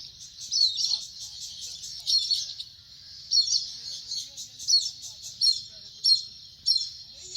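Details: Indian grey hornbill calling in a rapid series of high, squealing notes, some strung together and others sharp and separated, coming about every half second to second, over a faint low rumble.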